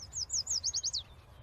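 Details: Yellow warbler (Setophaga petechia) singing a quick, high phrase of about seven sweet, slurred notes that rise and fall, delivered in about one second, with faint low background rumble.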